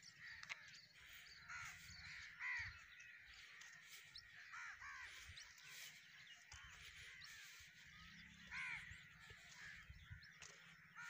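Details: Black crows gathered at a roost, a busy flock giving rough, scratchy caws that overlap throughout, softer and more distant-sounding, with a faint low hum underneath.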